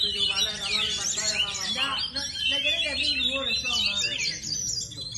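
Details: Oriental magpie-robin, a caged song bird described as 'ngepet', singing a dense, unbroken stream of varied whistles, trills and rapid high twittering notes, with lower harmonic phrases woven underneath.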